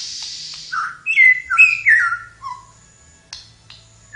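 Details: Energetic flowerpecker song: a tight cluster of sliding, bright whistled notes, then a lower falling note and a short final whistle, over a faint soft hum.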